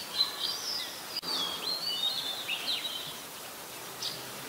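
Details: Ubon Ratchathani, Thailand, 16 December 2020, adult red-whiskered bulbul: a flowing, wavering whistled phrase that dips and swoops, one brief click partway through, a short faint note at the end, steady hiss behind.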